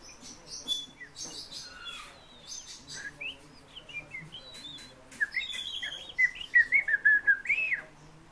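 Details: Fieldfare song presented as a vocal lesson: scattered high chirps at first, then a loud run of squeaky, whistled notes repeated rapidly, rising and falling, in the last three seconds.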